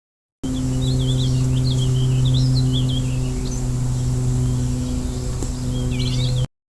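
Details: Warbling Vireo, a backyard bird that calls incessantly all day, gives a rambling, run-on warble of quick high slurred notes for several seconds, under a loud steady low electrical hum.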